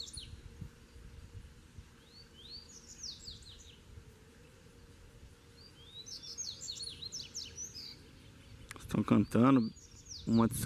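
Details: Two wild Double-collared seedeaters singing some distance apart in their territory: separate phrases of quick, high, upswept twittering notes, followed by a man's voice close by.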